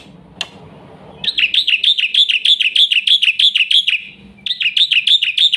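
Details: Black-winged myna, a quick full song meant to lure and train young birds: after one sharp click, a steady string of rapid rising-and-falling whistled notes, a brief break, then another string.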